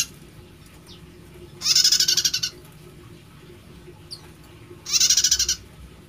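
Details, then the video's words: Two strident, rattling bursts from a prinia whose song is called unusual, each a quick train of about ten harsh pulses, roughly three seconds apart, with soft thin call notes between and steady low hum. "Prenjak Suaranya Unik"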